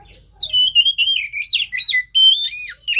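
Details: Oriental magpie-robin song meant to prompt a lazy caged bird to sing: a continuous run of varied whistled and slurred notes, some rising and falling, delivered rapidly for over two seconds, with faint low hum beneath.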